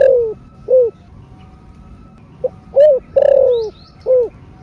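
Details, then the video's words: Cooing spotted dove, thổ rền style. Soft rounded coos are repeated, including a sharp short note, a coo and a long drawn descending coo. High thin chirps from another bird come near the end. "THỔ SẤM ĐỒNG... RA ĐỒNG... CỤC CÚC CU KÍCH BỔI ( THỔ RỀN )"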